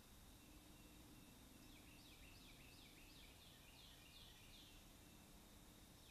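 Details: A young Bald Eagle at a nest high in a loblolly pine by Kincaid Lake, Kisatchie National Forest, Louisiana, defending its food, gives a quick run of about eight high, thin, downslurred piping notes over three seconds against a steady low rumble.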